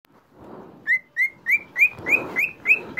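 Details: Cockatiel singing: a series of eight short, clear whistled notes, each rising slightly, repeated about three times a second after a soft low rustling start.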